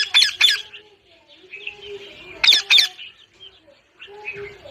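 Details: Parrot giving loud harsh double squawks twice, separated by softer chattering and raspy notes.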